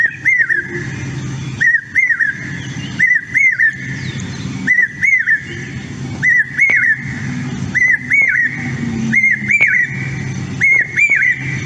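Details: Common Hawk-Cuckoo song: a shrill, whistled three-note 'brain-fever' phrase repeated roughly every second and a half, over a low traffic-like rumble.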